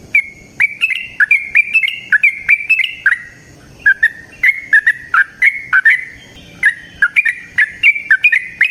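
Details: Yellow-vented bulbul singing in the wild, a long, rapid, energetic song used as a lure: rapid chains of bright gurgling whistles and crisp clicks, rising and falling in short phrases, with one brief pause near the middle.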